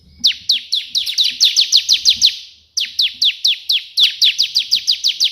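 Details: Bar-winged prinia delivering a rapid 'tembakan' burst song in the white-prinia manner, quick strings of strong downslurred high notes, one brief pause, then another fast run.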